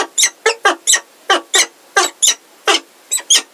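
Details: At Heidelberg, peregrine falcons including a new unringed female, 17 February 2023: short, rasping, scratchy calls in an uneven series of about ten notes, each note harsh and broad, close to the microphone.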